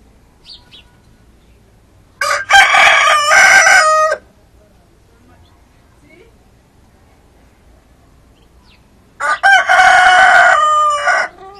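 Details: Two roosters, a red one and a speckled one, crowing; two loud, harsh, harmonic crows about two seconds long, seven seconds apart, each with a stuttering start and a drawn-out end, over a quiet background.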